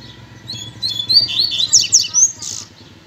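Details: Male Double-collared Seedeater singing after his female came: rapid high twittering with sharp slurred strokes and a rising flourish, over a steady low hum.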